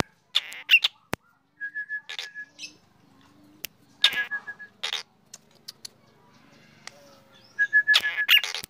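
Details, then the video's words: Energetic morning song of a black drongo: scattered harsh, broadband notes and short series of rapid, even whistled notes, with sharp clicks and long quiet gaps between phrases. "Srigunting hitam gacor"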